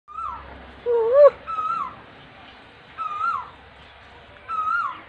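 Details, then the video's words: Asian koel calling: a clear whistled note that swoops and falls, repeated about every one and a half seconds, with one lower mellow note early on, over quiet background. "کوئل کی آواز"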